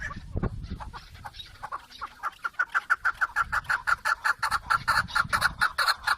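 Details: Chukar partridge calling: a rhythmic series of hoarse, clucking notes that starts irregular and quickens into a steady chuk-chuk run of about two notes a second, with a low rumble early on.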